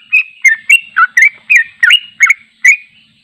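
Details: Sooty-headed bulbul in full long 'ropel' song, unedited, for training: nine rich whistled notes in quick succession, each a short swooping slur, some doubled, in a clean recording.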